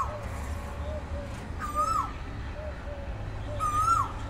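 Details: Morning calls of an Asian koel, two bright ringing notes that swell and dip about two seconds apart, with quiet low coos and a background hum beneath them.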